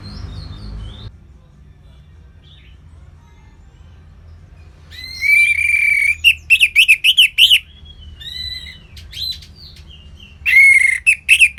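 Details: Caged orange-headed thrush singing ngeplong, its open full song: quiet at first, then a long stretch of rich, rolling whistled phrases, repeated in rapid bursts, with a final loud whistled outburst.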